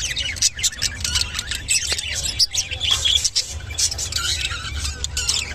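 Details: A lutino budgerigar chatters in a mating call: rapid, busy high warbling with clicks and squeaky trills, steady throughout, over a faint low hum.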